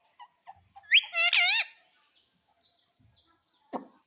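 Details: Pet ringneck parakeet that says mummy and papa utters a quick, bright, rising-falling word-like phrase with faint clicks around it and a sharp knock near the end.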